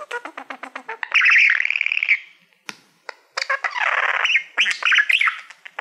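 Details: Male pet budgie singing at his reflection in a Silver Play Button: a rapid series of low clicks, then a loud warbled note, a click, and a swooping nasal chatter with rising whistles.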